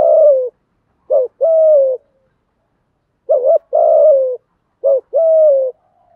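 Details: Spotted doves, both sexes, coo in the 'thúc gù' pattern used to encourage newly kept birds. The clip opens on the end of a phrase, then gives three more, each a short wavering hoot joined to a long, gently falling coo, with brief gaps between.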